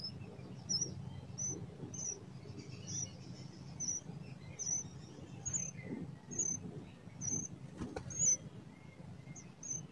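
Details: Blood-breasted flowerpecker, wild, in mountain country, repeating a single very high, thin, sharp note about once every second. The calls sound over a soft background of low hum and faint insect buzz.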